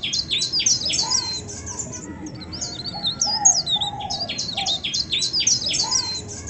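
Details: Melodious bird from Indonesia repeating bright, high chip notes in quick runs between twisting whistled phrases, over a constant low rumbling background.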